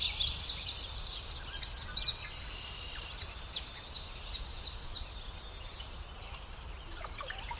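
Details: Nestlings being fed by a parent bird: a burst of rapid, thin, very high chirps packed closely together for under a second, then fainter scattered twittering over steady low background noise, with a sharp high squeak at the end.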